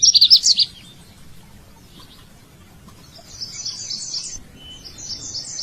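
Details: A male bird calling to find a mate, giving a quick cluster of high chirps at the start, then after a pause two rows of rapid, evenly repeated high notes.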